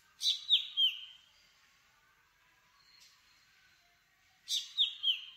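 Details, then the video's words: Black drongo (Dicrurus macrocercus) giving two bursts of three sharp, ringing whistled notes, each falling slightly, about four seconds apart, with a quiet pause between. "Black Drongo Song ! Black Drongo Call ! Black Drongo Sound ! Black Drongo Vocals ! Voice ! Singing"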